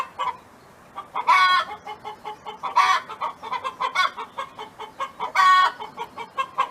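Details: Hen singing on a farm: three strong, raspy, stretched squawks spaced a few seconds apart, with rapid low clucks filling every gap.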